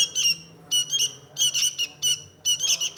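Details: Sooty-headed bulbul, known as kutilang in Indonesia: four short bursts of harsh, buzzy chatter, each about a quarter second, with a faint low hum behind.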